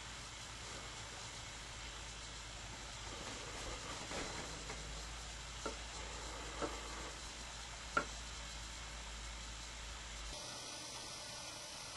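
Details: Steady hiss and low rumble with a few faint clicks and thumps, and no animal calls.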